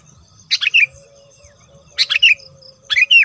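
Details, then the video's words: Sooty-headed bulbul used for luring, three brief bubbly phrases about a second and a half apart, each a quick drop of two or three notes, over a faint steady tone. "SUARA BURUNG KUTILANG GACOR AMPUH UNTUK PEMIKAT"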